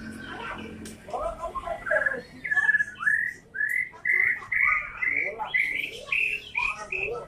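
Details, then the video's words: Loud white-rumped shama song: a string of bright rising whistled notes, about two per second, each sliding upward, mixed with softer chattering notes underneath. "suara murai batu MH"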